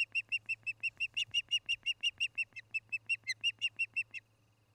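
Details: Osprey at a Charlo, Montana nest, recorded by nest camera one August 2018 evening: a regular train of about twenty short whistled chirps, roughly three per second, ending abruptly, with a faint low hum behind.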